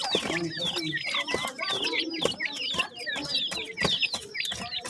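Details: A group of dakhni teetar chicks, the local name for a francolin, calls continuously with quick, looping high chirps repeated in a busy overlapping stream.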